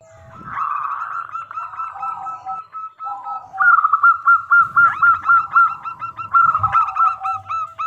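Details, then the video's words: Local zebra dove, a lively singer with a crystal-clear voice, used as a lure so other doves answer. It gives a rolling song of quick hooked cooing notes, about four a second, over a lower steady coo, with soft thumps beneath. "Perkutut Lokal Gacor Suara Super Kristal - Pancingan"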